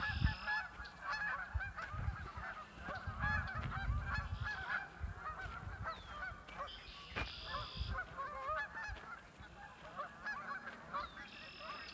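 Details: Flock of geese along the Kanik Nature Trail calling in irregular bursts of clipped, nasal honks, several voices overlapping, mixed with low thumps and rumbling background noise throughout.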